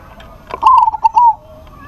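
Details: A single cooing phrase from a local zebra dove calling a rival: a brief stuttered onset, then a smooth, mid-pitched coo broken into a few linked notes that trail off, with a faint thin whistle in the background.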